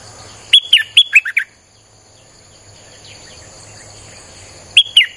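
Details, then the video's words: Streak-eared bulbul, recorded for luring wild birds, sings a rapid run of six clear, descending chirps, then falls quiet before two more notes begin. A continuous high buzzing tone sits underneath. "เสียงนกดอกแตงEp.159จ้าวขุนศึก สับดอกแบบไม่พัก!!ใช้เปิดล่อนกป่า Suara pikat merbah lekir"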